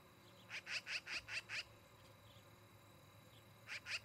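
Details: Osprey at a nest in Charlo, Montana, recorded by a nest camera on an August evening: a quick run of six sharp whistled chirps, then a short pause and two more, over a low steady hum.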